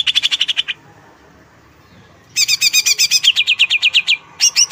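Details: Greater green leafbird song: a quick burst of bright repeated chips, a two-second pause, then a loud rapid series of sharp doubled notes and ringing repeated chirps at a steady fast pace.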